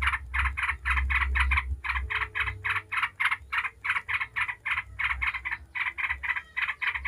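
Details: Yellow-vented bulbul chattering in 'ngebren' style, used to draw song from other bulbuls. Rough buzzy notes in quick bursts of three to five, repeated steadily for seven seconds over a deep rumbling background.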